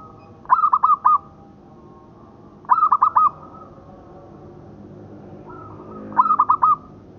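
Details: Local zebra dove cooing, used as a training recording for other doves: soft, low, hollow coo phrases of four quick notes that end in a drawn-out tone, repeated every two to three seconds over a faint hum.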